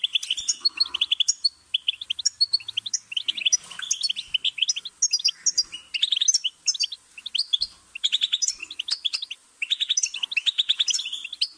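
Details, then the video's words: Long run of goldfinch song, lively jingling twitters packed into repeated short phrases with only brief breaks throughout. "Goldfinch's Singing"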